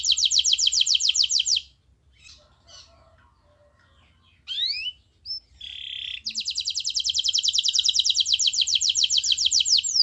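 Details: Canary master song, used in training so other canaries will start singing: long fast rolling trills at high pitch open and close the passage. Between them come a quiet gap, a few brief rising whistles and a short buzzy note.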